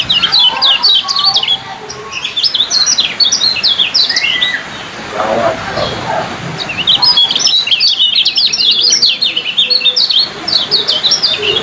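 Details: Competition kecial kuning, the yellow-bellied prinia, delivering speedy 'ciak' chirping: bursts of quick, high, slurred notes packed tightly, a short lull near the middle, then another long fast burst. Soft background noise.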